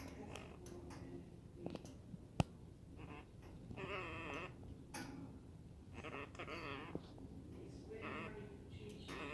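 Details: Pet Hahn's macaw indoors making odd noises: bursts of nasal, wavering harmonic chatter around the fourth and sixth seconds, mixed with clicks, taps and short scratchy sounds.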